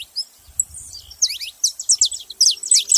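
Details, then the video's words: Saffron finch making noise: a soft high note or two, then a quickening burst of steep, bright downslurred chirps over a low background rumble. "canário da terra fazendo barulho"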